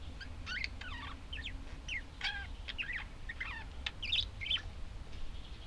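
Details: Budgerigar calls: quick warbled and swooping notes come in bursts over a steady low rumble of background noise, with a couple of sharper chirps near the end.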